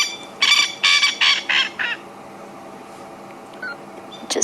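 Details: Male francolin calling on a sunset drive at Djuma and Arathusa, Africa, giving a harsh, grating run of five rasping notes, each a little shorter, answered by another male a bit further away.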